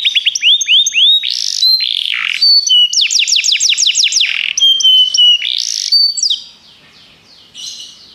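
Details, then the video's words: Begie canary song meant for training: repeated slurred whistles, buzzy notes, a rapid series of descending strokes, and level whistles, fading to quiet near the end. "Canários Begie cantam muito"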